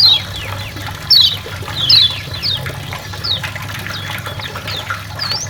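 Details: Tutor song of champion white-eyes, the kecial lombok and kecial karimun: bright, piercing, downward-slurred whistles in spaced bursts, the loudest near the start, over a constant low background hum.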